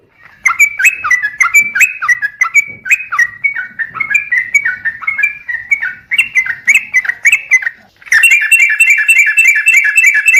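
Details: Sooty-headed bulbul lure recording meant to make birds sing: flowing chains of liquid slurred notes, then a denser stretch of overlapping repeated phrases near the end.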